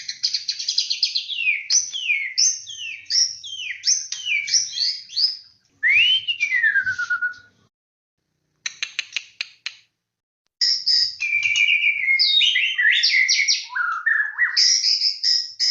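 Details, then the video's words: White-rumped shama (murai batu) song, used as a lure: dense run of varied high whistled phrases, a long descending slur, then bursts of clicking notes before more rich, varied whistles. "PANCINGAN BURUNG MURAI BATU PALING GACOR AMPUH"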